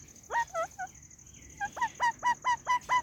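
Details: White ringneck parrot giving a fast run of short, clear harmonic chirps, about eight notes in just over a second with brief gaps, over a steady faint high-pitched electrical whine.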